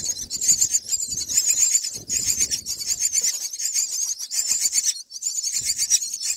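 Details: Nine-day-old myna nestlings begging while a parent feeds them black crickets, producing a steady rasping high-pitched hiss that pulses rapidly and almost without break, with some rustling below.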